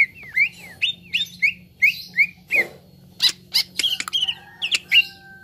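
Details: Cucak ijo, the green leafbird, singing on a therapy recording aimed at making birds sing readily. Repeated bright upslurred whistles, then sharp clicks and varied chattering phrases, over a faint steady hum.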